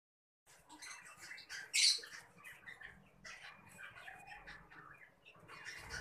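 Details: Pineapple conure parrot chicks making a jumbled chatter of scratchy, high squeaks and chirps, loudest in a sharp burst near two seconds, with soft rustling underneath.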